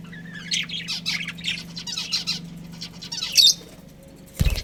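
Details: Pet budgies of a breeding pair make a few scratchy chirps and squawks, then fall quiet before a loud thump near the end, with a low hum in the background.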